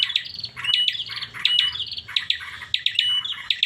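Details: Bar-winged prinia giving an unusual call: rapid repeated phrases of sharp high ticks with a short flat whistle, roughly 79 phrases a minute, steady and insistent.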